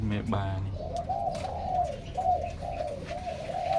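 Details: Zebra doves bred in captivity, many pairs crowded together in a house, coo in a series of short rolling phrases after a man's brief words at the start.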